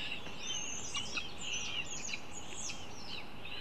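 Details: Northern goshawk at the nest while the young are being fed: a busy run of short, sharp, high chirps and thin rising squeaks, many overlapping, over a faint steady background hiss.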